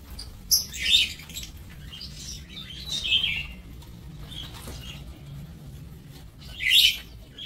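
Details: Lovebirds in an aviary cage, recorded 5 July 2024: three bursts of shrill, high squeaky chirps, at about one, three and seven seconds, with quiet gaps between.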